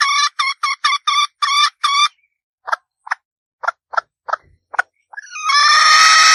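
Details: Female red junglefowl calling: a quick burst of about seven harsh, nasal clucks in two seconds, then scattered softer, thinner clucks, ending in a loud, drawn-out harmonic cry that runs to the end.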